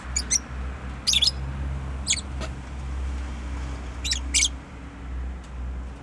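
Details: A pet bird makes short high chirps in small bursts of two or three notes, separated by pauses of a second or more, over a steady low hum.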